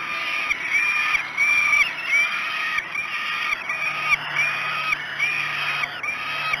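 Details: Falcon chicks at the Great Spirit Bluff nest during a breakfast feeding at 06:54 on 5 June 2016 give loud, harsh, wailing calls, each with a rising and falling pitch, repeated rapidly and almost without pause.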